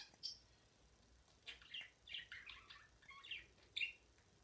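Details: A pet budgerigar singing indoors, with soft twittering and a run of quick, warbled chirps that rise and fall, then a sharp squeak at the end, all fairly quiet.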